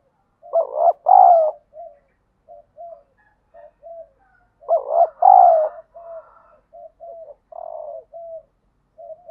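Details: Trained decoy spotted dove, used daily to incite fights and attract wild doves: two loud double coos, each trailed by a string of soft short coos spaced about a second apart.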